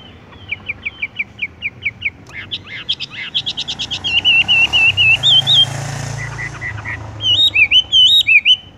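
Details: Horsfield's bush lark, or wambie, in tung roll song: a string of short clipped notes, then rapid buzzy ticks, then wavering whistled phrases that roll on, with a burst of looping whistles near the end.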